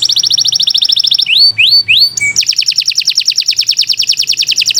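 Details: Kenari Nusantara canary singing long gacor phrases: a rapid high trill, three rising whistled swoops, a short sharp note, then a long fast rolling trill to the end.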